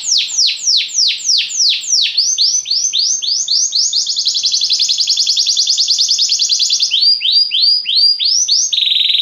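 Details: Belgian canary in lazy song: slow downward-sweeping whistled notes, then a long rapid rattling trill lasting several seconds, followed by more descending sweeps and a final steady whistled note.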